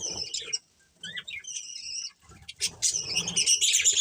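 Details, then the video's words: Budgerigars from a breeding pair giving thin whistled notes, some sliding upward, followed by a burst of busy high chirping over soft low rustles. "Cute Budgies Chirping Sounds"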